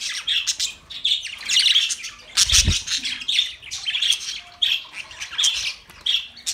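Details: Pet budgerigars chirping steadily, many short high calls with a buzzy, squawking edge, repeated roughly every half second, one low thud partway through.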